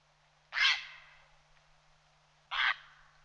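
Grey heron giving two harsh, rasping squawks about two seconds apart, each brief and loud, over a faint steady hum.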